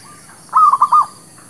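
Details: Local zebra dove song, played as a lure for trapping birds and for newly kept birds. One short phrase: a soft, level lead-in note, then three loud, rolling, throaty coos in quick succession.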